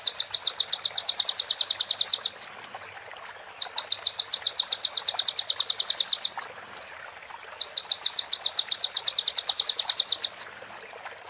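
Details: High, rapidly pulsed trills from a crimson sunbird (konin), recorded as training material with imitated prinia phrases: three trills of about three seconds each, separated by short pauses and single sharp notes, over soft hiss.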